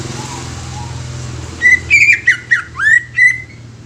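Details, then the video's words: Greater green leafbird song: a lively string of loud whistled notes at a mid-high pitch, some level, some swooping down and back up, repeated about every half second over a low hum. "SUARA ASLI CUCAK IJO"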